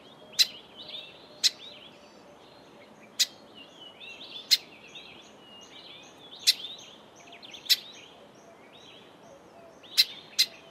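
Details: Sharp, explosive ticks from a grey sunbird, spaced irregularly about a second or more apart, with busy high chirps and twitters between them over a quiet background.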